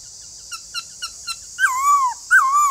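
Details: White-cheeked laughingthrush song: a few short, soft chirps followed by two loud, clear whistles, each slurring up and then gliding down, over a steady high background hiss.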